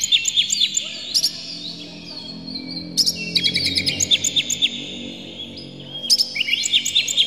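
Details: Provoking song of the Oriental magpie-robin, harsh and clear: sustained high whistles broken by quick bursts of sharp repeated chirps roughly every second, several voices layered, with faint low noise.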